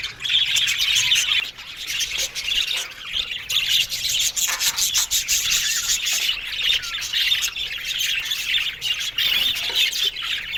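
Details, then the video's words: Australian budgerigars in an aviary colony: dense, continuous high chirping and warbling chatter from many birds, with scratchy rasping textures throughout. "Parakeet's Lonely Budgies Sounds"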